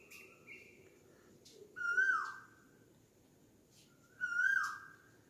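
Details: Asian koel, known locally as kokila, giving two loud whistled calls about two and a half seconds apart, each rising then sliding down, with fainter higher whistles from another bird at the start and a soft background hum.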